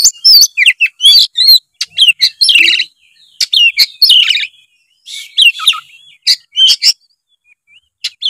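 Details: White-rumped shama singing, used to prompt a lazy young bird: dense chattering of high whistles, rasping notes and sharp clicks, then sparser phrases toward the end.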